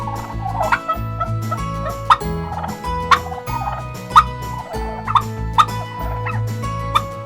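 A turkey gives rapid, rattling gobbles about once a second over steady background music.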